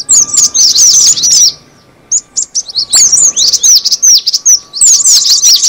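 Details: Lure call of the cinereous tit. A burst of fast, high, falling chirps stops for about a second of silence, then a sharp click and a renewed stream of rapid twittering notes, over a faint steady hum.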